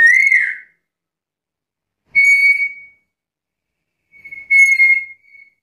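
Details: Three loud, clear black-capped lory whistles roughly two seconds apart: a curved upslurred note, then two flat, ringing pure tones, the last slightly longer.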